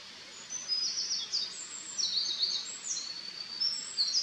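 A Eurasian wren sings a fast, very high outpouring of trills and sharp twittering notes, running on without pause over soft background hiss.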